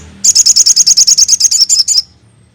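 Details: Crested jay, intended to make any crested jay respond: one loud burst of about seventeen rapid, evenly spaced high sharp notes lasting under two seconds.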